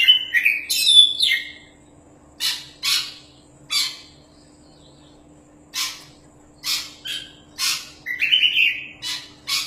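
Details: Oriental magpie-robin, a caged champion songster kept for tutoring, opening with a quick whistled phrase, then harsh scratchy rasping notes repeated at uneven intervals of about one to two seconds, with a low steady hum underneath.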